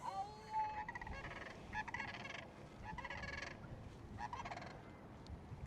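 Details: Sandhill cranes on the Yellowstone River, Montana, give loud, rolling, rattling calls in bursts about a second apart, over a steady rush of river and wind.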